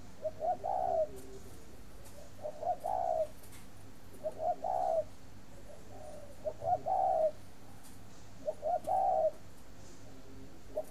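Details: Captive breeding spotted dove at a farm in Ba Vì district, Hanoi, Vietnam, giving repeated low coo phrases, brief stuttering lead-in notes rising into a drawn-out hooting note, five phrases spaced roughly two seconds apart.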